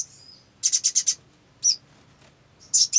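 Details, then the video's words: Olive-backed sunbird, a lure recording to provoke singing: a quick run of four or five high, sharp notes, a lone note, then another burst of high chips. "SOGON GACOR !! PANCINGAN SOGON AGAR BUNYI"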